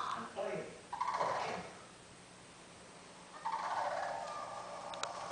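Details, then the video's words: Two sandhill cranes, which stayed for hours eating spread birdseed, give two bursts of loud, rolling, rattling, hoarse trumpeting calls separated by a quiet pause of about two seconds. "Sandhill Cranes making some noise"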